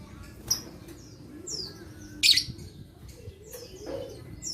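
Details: Lovebird sounds played to stimulate lazy lovebirds into singing: a few sharp, shrill high chirps spaced about two seconds apart, with faint softer notes between, over a low steady background hum.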